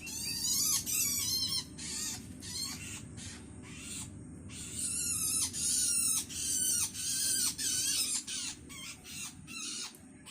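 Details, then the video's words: Long-tailed Shrike young calling its parent while hungry: a long sequence of harsh, buzzing, shivering rasps, each lasting under a second and repeated nearly three times a second, with brief pauses between bouts. "Suara anakan cendet"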